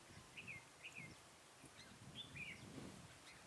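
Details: A trapping decoy red-whiskered bulbul, singing to draw in wild bulbuls on 23 October 2017. Paired short whistled notes with a down-slurred ending, repeated in several phrases, over soft low murmuring and rustling.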